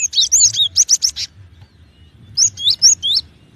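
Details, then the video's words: Cinereous tit (gelatik batu) giving two bursts of sharp, high chirps and quick upslurred whistled notes, about seven notes then a pause and four more, over a faint low hum. "SUARA BURUNG GELATIK BATU"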